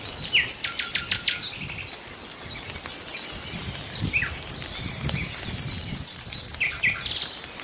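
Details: A nightingale delivers a loud burst of rapid repeated notes, pauses with softer chirps, then launches a long, fast, evenly spaced high trill of about twenty notes.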